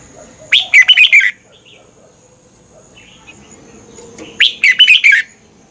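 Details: Red-whiskered bulbul in Thailand, song meant for training birds or making them excited; two lively warbled phrases of rapid liquid notes around four seconds apart, faint softer chirps between, a thin steady high tone behind.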